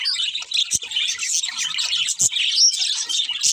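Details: Budgies chirping in a short burst of busy high chatter, fast twittering notes overlapping, with a couple of sharp clicks.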